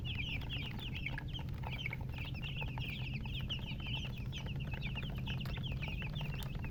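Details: Young chickens chirping together in a dense, continuous chorus of quick, high, up-and-down peeps, with a constant low droning hum beneath.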